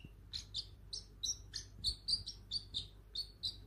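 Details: A 7-month-old parrotlet, just starting to talk, gives a quick, uneven run of about fourteen short, high chirps and tweets in under four seconds over a faint low room hum.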